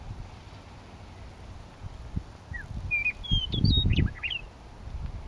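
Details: Meadowlark song from a coulee at Lethbridge, recorded May 9, 2014. A short rising whistle opens, then bright slurred whistles tumble into a jumbled, warbling finish while gusts of wind rumble underneath.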